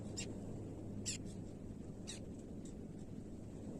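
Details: White tern landing on its nest on a beach to incubate its eggs; a few short, harsh, buzzy notes scattered across a few seconds, over a steady low rumble of wind or surf.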